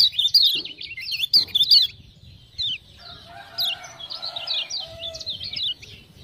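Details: Lemon-bellied white-eye from Lombok, a singing tutor bird prompted by ciak-ciak sounds: loud quick warbling at the start, a short gap, then thinner high zigzag notes over a softer lower buzzy chatter.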